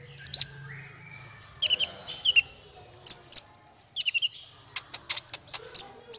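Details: Male konin (kolibri ninja) song used as training song for songbirds: high, thin chirps and sharp downslurred notes in short bursts, with a rapid ticking run near the end and gaps of silence between phrases.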